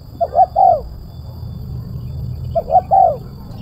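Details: Spotted dove giving a crisp, sharp, tight 'kuk 1' style coo, used to lure doves down: two three-note cooing phrases about two seconds apart, each with two short soft notes and a longer, louder final coo, over a low steady rumble.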